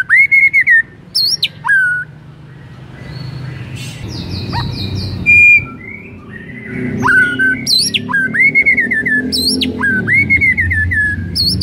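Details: Song of a white-rumped shama to trigger other shamas: whistled slurs and high flicks, with some buzzy notes in the middle, then repeated rising whistles over a low background rumble.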